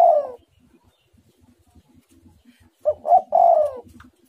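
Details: Spotted dove (tekukur) in busy 'menekan rapat' song: a falling coo, a pause over faint low background rumble, then two clipped coos leading into a long, descending final note.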